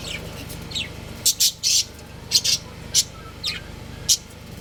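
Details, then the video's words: Budgerigar pair kept for breeding at home, giving loud, clipped, high chirps, some doubled or drawn out, at irregular intervals of under a second, with a faint steady hum behind. "Love Birds Chirping Sounds | Cute Budgies Breeding Pair"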